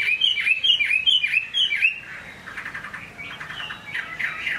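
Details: ['Chinese hwamei in rain sings a series of bright looping whistles, four or five in quick succession, then shifts to softer, rapid chattering and buzzy notes.']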